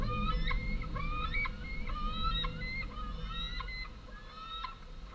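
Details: Two large young white-tailed eagles, long fledged, scream for food at their home nest as the female lands with modest prey, on 11 August 2014. They give thin, rising whistled squeals, several a second, amid wing-flapping and low wind rumble.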